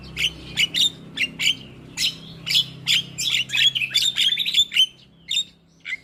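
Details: Javan myna singing to encourage a lazy bird: a lively sequence of short high squeaky and whistled notes, accelerating into a dense chattering burst before trailing off into a few scattered chirps.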